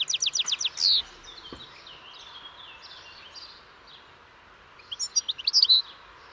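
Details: European goldfinch singing: a fast burst of tinkling, twittering notes with a slurred buzzy ending, a quiet pause of about four seconds, then another short bright twittering phrase.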